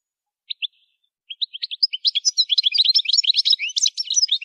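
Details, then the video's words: Goldfinch singing for song training: two isolated high chirps, then a quickening stream of tinkling, twittering notes that becomes a dense, lively warble. "Song Goldfinch Training"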